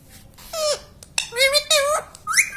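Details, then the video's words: Pet parrot talking, said to say "mummy papa": three short voiced, speech-like syllables with bending harmonic tones, separated by brief pauses, the last rising sharply; quiet room hum underneath. "Parrot talking mummy papa || mithu mithu || मम्मी पापा बोलने वाला तोता"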